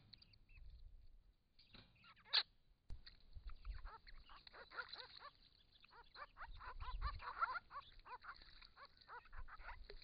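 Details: A group of six wild Grey-crowned Babblers at a pond in regional Victoria, Australia, in hot weather, calling to each other while drinking and bathing: rapid, overlapping nasal calls rising and falling in bursts, over low rumbling noise and a sharp click.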